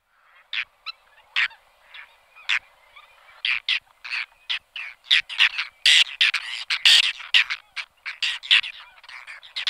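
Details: Whiskered terns calling busily: many short, harsh, scratchy notes, sparse at first then crowding into a dense, overlapping chatter of several birds toward the end.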